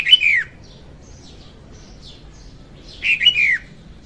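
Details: Song of a hen red-whiskered bulbul recorded for trapping birds: two short slurred phrases with downward-sweeping whistles about three seconds apart, faint thin notes in the gap.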